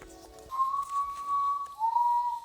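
A Common Potoo gives two long, pure, mournful whistles, the second slightly lower than the first. A brief murmur of other sound comes just before.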